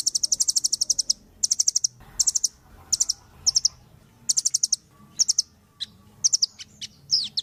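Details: Captive Velvet-fronted nuthatch, known for its very sharp voice and used as a tutor song for other birds, giving bursts of very high, sharp, rapid chipping notes, each burst under a second, after short pauses.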